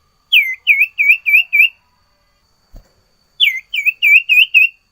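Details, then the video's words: Sirtu bird delivering a full song: two quick bursts of five or six short, slurred whistles each dropping then levelling, separated by a pause with a single soft tap. "burung sirtu gacor ful isian"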